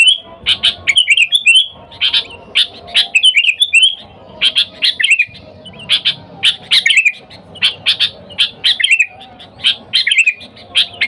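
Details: Sooty-headed bulbul calling for wild companions, a lure for bulbuls. Dense, energetic series of chirps and bubbly slurred phrases in repeated bursts, faint low rumble beneath.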